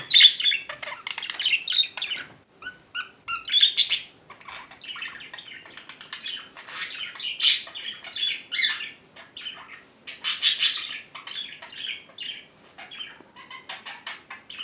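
A budgerigar chatters nonstop in rapid, high chirps, warbles and scratchy squeaks.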